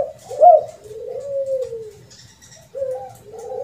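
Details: Spotted dove (tekukur) lure call of the rare kuk 2 and kuk 3 type: one long drawn-out low coo sliding gently downward, then two shorter mellow coos after a brief pause, over a quiet background hum.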